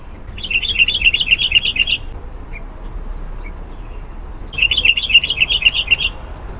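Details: Sooty-headed bulbul singing to attract wild birds of its kind: two rapid bursts of bubbly chirping notes, each about one and a half seconds long and about four seconds apart, with soft hiss between them.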